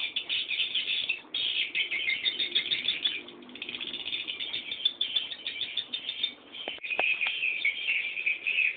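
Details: Swiftlet chicks begging as they wait for the parent's return: a crowded, continuous chatter of high scratchy chirps, with a brief lull and a couple of sharp clicks near the end.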